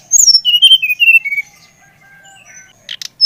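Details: Brown-chested jungle flycatcher song to spur another bird: one fast phrase of sweet whistles tumbling downward, followed by quiet and a faint short sound at the end.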